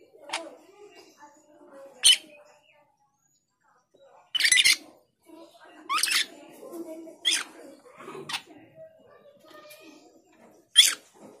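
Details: A male cucak keling calls out to a rival with harsh, strident screeches scattered over eleven seconds, some in quick clusters and others isolated, with softer chattering notes between the loud calls.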